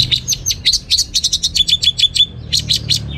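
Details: Orange-headed thrush delivering a rapid string of short, sharp high notes, about five per second, some clear whistled pips among them, in a lively teler-style song.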